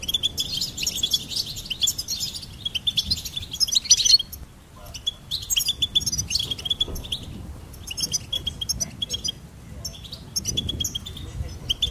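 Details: Goldfinch song in several phrases of quick, high twittering and ringing chirps, separated by short silences, each phrase a jumble of trills and buzzy notes.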